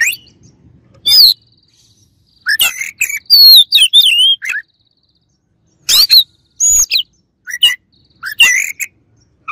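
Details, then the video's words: White-rumped shama song made of loud, varied phrases: fluid whistles twisting up and down, sharp clicks and harsh rasping notes delivered in quick bursts with brief silences between them. "KACER LAWAN AUTO EMOSI DENGER INI"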